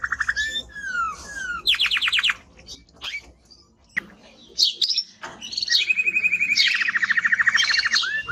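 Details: A male timbrado canary sings a loud, varied song of clear whistles, quick chirps and long, rapid, rattling trills pitched high and running for several seconds.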